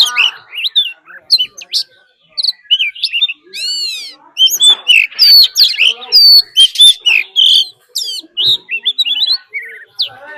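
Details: Decoy Oriental magpie-robin in fighting song alongside a wild female's call, meant to strongly excite birds; dense run of loud whistles, rapid chattering bursts and harsh buzzy notes, phrases tumbling together with brief pauses throughout.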